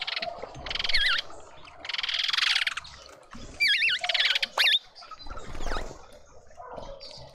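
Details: Mousebirds in a suburban garden in Pretoria, South Africa, uttering long grating buzzy chatters alternating with wavering, undulating whistles, in loud irregular bursts separated by short quieter stretches.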